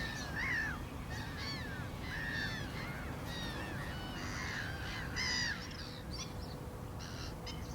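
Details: Black-winged stilts yelping in quick succession: ringing, slightly descending nasal notes from several birds, with a louder burst near the end, set against persistent low-frequency noise.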